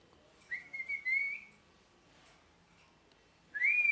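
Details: Parrot giving a drawn-out whistled call held steady, slightly wavering and rising at the end, then a second whistle begins after a quiet gap; faint background hiss.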